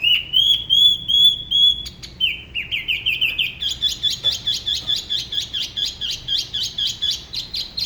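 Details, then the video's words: Spot-throated babbler singing solo near the La Ba river in Da Lat, Vietnam: a smooth rising whistled trill, a stepped series of notes, then a long fast buzzy trill of repeated elements. "Tiểu mi La Bá hót solo/ Spot-throated Babbler the best solo La Ba river"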